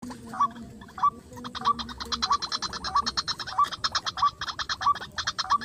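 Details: White-breasted waterhen in a rice field, answering a luring call and approaching quickly, with a male bird mentioned. Hooked mid-pitched notes repeat about every 0.6 seconds over a dense rapid clicking rattle, with a low hum underneath.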